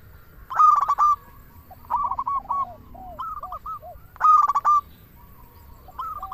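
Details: Local zebra dove used for luring and stirring other doves to sing: loud stuttering coo bursts repeated about every four seconds, with softer descending rolling coos between them.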